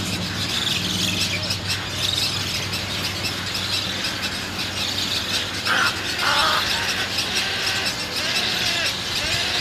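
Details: Three hungry Roseate Spoonbill (Platalea ajaja) chicks at a nest in North Florida beg for food with a continuous wheezy, hissing squeal, a few brief higher squeaks near the middle, over a steady murmur of colony noise.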